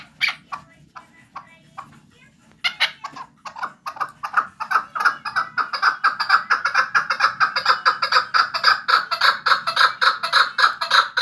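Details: Chukar partridge, Vanj: a few scattered clucks give way to a long, accelerating chatter of repeated chuk notes that grows steadily louder and more regular.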